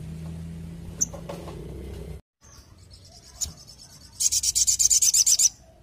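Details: Orange-headed thrush in full, lively song, known locally as sogon gacor: a few faint scattered notes, then a rapid burst of very high, sharp pulsed notes repeated quickly for about a second, over a low background hum.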